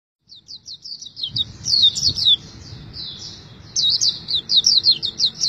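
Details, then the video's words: A white-eye (pleci) sings a rapid run of high, thin chirped notes, many sliding downward, in quick bursts after a brief silence, with a low background rumble. "Pleci Tergacor Selama Bermain Pleci"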